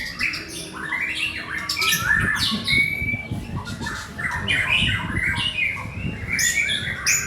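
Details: White-rumped shama from Indonesia singing a rapid, varied song of sharp chattering phrases, whistled slurs and harsh squawky notes in tight bursts, with steady low rumbling background noise throughout.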